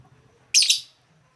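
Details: Melodious lovebird call for luring lovebirds: a single loud, harsh, shrill chirp with a raspy double pulse, fading quickly over faint low background hum.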